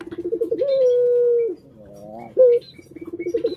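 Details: Pet collared dove gives a fluttering roll rising into a long steady coo, a softer wavering passage, a crisp sharp note, and more pulsed trembling.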